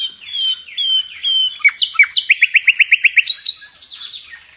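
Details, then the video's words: Indonesian bird-keepers' master nightingale in full gacor song: three long level whistles, two sharp down-slurred notes, then a crisp fast series of about a dozen repeated notes ending in a high twittering flourish. "Nightingale song FULL gacor"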